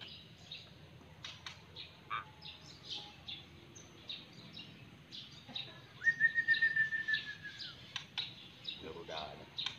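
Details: Pet white-rumped shama singing softly: scattered high chirps and ticks, then a sustained clear whistle held steady for over a second before dropping, with a burst of rapid notes after, over low background hum.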